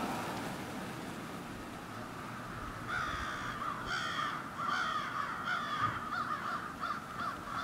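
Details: Roosting crows above a city in Ontario, Canada, in the morning: a quiet opening, then a swelling chorus of harsh caws repeated rapidly and overlapping from many birds, with low traffic-like rumble beneath.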